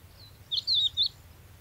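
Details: Crested lark from a sound guide to the birds of Córdoba: a short fluty phrase of three clear whistled notes, the middle one longest, over faint low background rumble.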